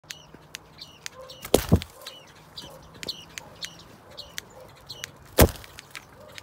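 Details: Black-breasted thrush in an outdoor softbills aviary, attacking while defending its nest: a steady run of short, high chipping notes, about two each second, broken by two loud thumps of impact or wing noise.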